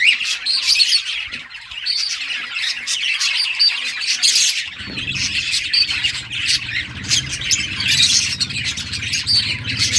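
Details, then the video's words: Budgerigars playing give continuous chattering chirps and squawks from several birds, with a low background hum rising in the second half. "Budgies playing and chirping"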